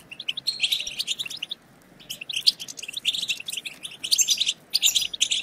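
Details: European goldfinch twittering, meant to stimulate other goldfinches to sing: dense bursts of rapid, high, tinkling chirps and buzzy notes, broken by a short pause near the middle and a brief gap before the last burst.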